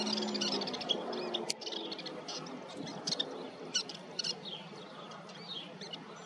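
Western kingbird giving sharp, high kip notes and brief squeaky bursts at irregular intervals over a busy, noisy background with a low voice at the start.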